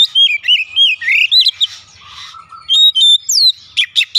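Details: Oriental magpie-robin song meant to make a bird sing: fast sweet whistled phrases and bent notes, a brief pause with a low buzzy note, then ringing whistles and sharp chips.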